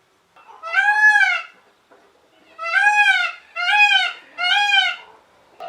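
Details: Indian blue peacock crying out: one long nasal scream, a pause, then three shorter arched wails in quick succession, all rich in harmonics.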